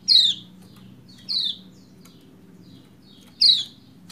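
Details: Lombok white-eye hen giving calls meant to prompt a lazy male to sing: three bright, down-slurred 'ciak' chirps spaced a second or two apart, with soft low background hum.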